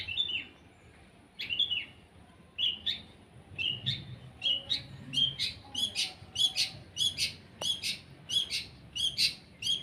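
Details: A sunning long-tailed shrike (cendet) gives spaced high chip notes that speed up into a rapid, regular series of sharp, ringing chirps.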